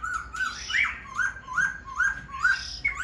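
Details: Caged Black-throated Laughingthrush displaying with fanned tail and wings, delivering a regular series of rising whistled notes, roughly two or three each second, with faint room noise.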